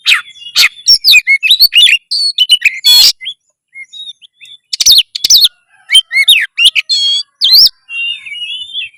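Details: Common iora, a caged songbird, singing loudly in fight mode, used to raise breeding drive: dense bursts of sharp chirps, trills and whistled slurs, bright and high, in quick runs separated by short pauses.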